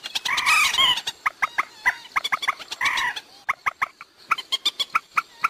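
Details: Waterhen call used as a night lure for trapping birds: a run of sharp, clucking notes, several each second, broken twice by louder, harsh croaking bursts.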